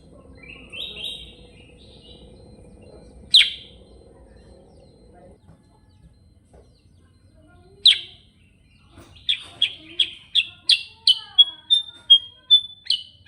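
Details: Sooty-headed bulbul in 'ngerol' form: a short high warble and isolated sharp chips, then an accelerating burst of around a dozen loud, evenly spaced chirps mixed with brief whistles, over low background murmur.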